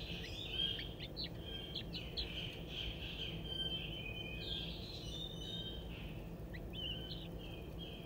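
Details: Crested wood partridge chicks, one 22 days and two 11 days old, foraging in a zoo exhibit; clusters of thin chirps and whistles, busier in the first half, then sparse, over a persistent low hum.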